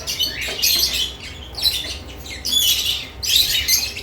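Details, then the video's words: Lovebirds busy at freshly added nest boxes: four loud bursts of harsh, high chirping roughly every second, with softer twittering between them. "Lovebirds add nest boxes activity & chirping sounds"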